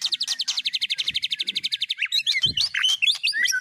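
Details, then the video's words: White-rumped shama giving copied phrases of other birds: a fast rattling series of high chirps, then varied twisting whistles and squeaks, with faint knocks in the background. "Burung Murai Batu MU KURANG GACOR., BONGkar Isian speed cililin, kenari, love bird Dll..!"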